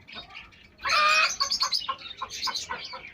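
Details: Pet hens with pet chicks: a soft start, then one loud, harsh squawking cluck, followed by a string of quicker, quieter clucks and high peeps.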